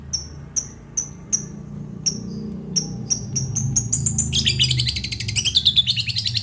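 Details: Long-tailed shrike from Situbondo giving a slow series of identical high, whistled chips, which speed up into a dense, rising twitter and then a rapid, scratchy chatter, with a low musical hum in the background.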